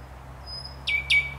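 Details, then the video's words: Song phrase of a thrush nightingale, 29 May 2021: a thin steady high whistle, then two loud, sharp, down-sweeping notes in quick succession, with a low background hum. "Śpiew słowika szarego"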